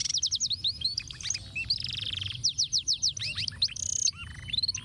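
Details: Canary song in the complex ruwet style, used as a master recording for tutoring other birds: fast series of high whistled notes, rapid descending sweeps and buzzy rattling trills, varied phrases following one another without pause.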